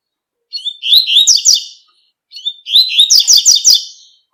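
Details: Tui tui style song of a double-collared seedeater in nature, two fast, bright phrases back to back, each opening with rising slurred whistles and ending in a rapid series of high chattering notes.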